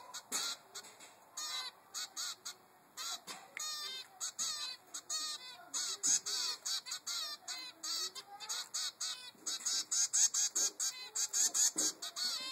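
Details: Begging zebra finch chick, three weeks old, pestering its mother for food: dense, irregular bursts of harsh nasal buzzes, sometimes in rapid clusters, growing louder and quicker toward the end, with faint wingbeat-like thumps.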